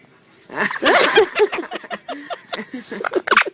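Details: Quaker parrot kept as a pet, cracking itself up with laughter while playfully trying to bite: a short run of throaty, stuttering chuckles rising and falling, mixed with a person's voice in a small room.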